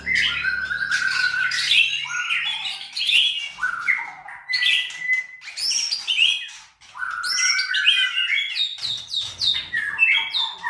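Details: Contest-bred white-rumped shama at a farm in Sragen, Indonesia, singing energetic mixed phrases of sharp high chips, buzzy rattles and whistled downslurs, with a short break midway before resuming vigorously.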